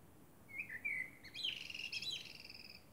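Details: Common blackbird singing at night under the moon: a short fluted whistle, then a quick, higher twittering phrase of rapid notes, faint against a steady low background hiss.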